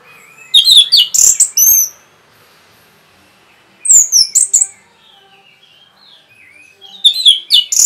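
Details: Rapid, provoking song of an orange-headed thrush: three dense bursts of fast, high, sharp notes, each about a second long, separated by quiet gaps of a few seconds.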